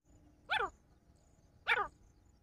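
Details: Male partridge calling: two short, harsh, harmonic bursts about a second apart, each sweeping quickly over a mid-to-high range, with a faint low background hum.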